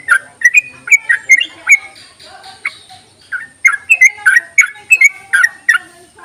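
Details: Yellow-vented bulbul singing to draw out other bulbuls: bursts of quick liquid, chattering notes that fall and rise, a quieter gap, then another lively run, with a steady high background whine.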